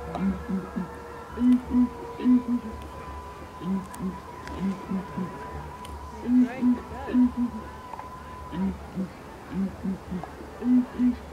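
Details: Two southern ground hornbills at twilight, flicking their tails, boom rhythmic deep, soft hoots in pairs and triplets, repeating steadily over a faint, even hum.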